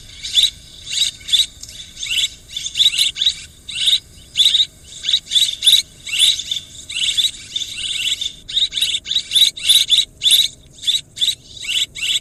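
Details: Long run of swiftlet twitters: dense, scratchy chirp bursts laced with high whistled flicks, irregularly spaced with a short gap midway, over a soft constant background hiss.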